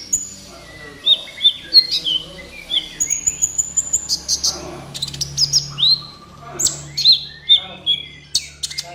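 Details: Kolibri ninja song played as a master recording for training captive birds: rapid varied high chirps, sharp downslurred whistles and thin trills, densely packed and continuous, with faint low hum beneath.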